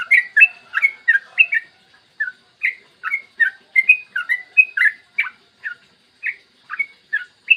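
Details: Clear morning song of a yellow-vented bulbul, played as a lure so other bulbuls start singing. A fast burst of bubbly chirps opens, then evenly spaced short liquid notes follow, roughly two to three per second.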